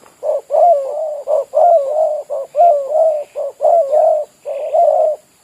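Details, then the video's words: Spotted dove, a village bird kept as a decoy for trapping, cooing steadily in low mellow phrases, each short paired notes running into a longer wavering coo, repeated almost without pause. "Ayol Terkukur-burung kampong jadi pikat"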